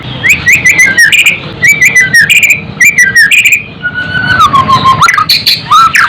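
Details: White-rumped shama song of repeated short whistled phrases that descend slightly, then a long, thin, steady whistle that rises at its end, with clicking sounds and a low hum behind.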